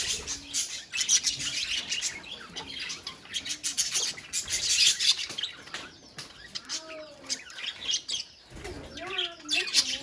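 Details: Budgerigars in a colony: overlapping thin chirps and scratchy warbles, interspersed with softer, lower rising and falling notes, plus brief fluttering-like rustles among the chatter.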